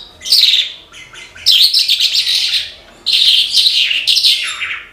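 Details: Horsfield's bush lark pouring out its song: three long, dense phrases of rapid, high chirps, trills and slurred whistles, the last one sliding downward, in a quiet setting.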